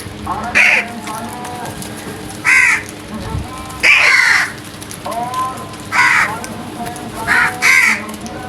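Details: Series of harsh crow caws in early morning, about seven rasping calls spread unevenly, some paired, with a steady hum beneath and faint distant noise.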